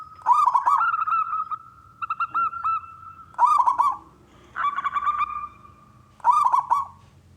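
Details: Loud local wild zebra dove used to entice other doves to sing: rolling, pulsed cooing phrases every one and a half seconds or so, with a softer steady series of notes between them and a faint low hum.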